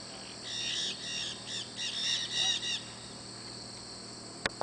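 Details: A flock of maritaca parrots (Pionus) gives harsh, screechy, overlapping squawks in quick bursts for about two seconds, then falls quiet before a sharp knock at the end.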